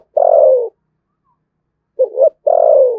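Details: Spotted dove from Dong Nai, Vietnam, prized for its thunder-like calling style, gives a long falling coo, then two quick rising notes and another long drawn coo that drops in pitch. No other sounds.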